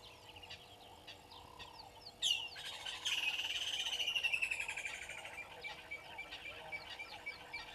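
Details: Water thick-knee at Gowrie dam waterhole, Djuma Game Reserve, Sabi Sand Wildtuin, South Africa, morning of 25 December 2021 at 09:09: after soft chirps, a fast run of piping whistled notes begins, then slowly falls and slows over several seconds, over low warbling background calls.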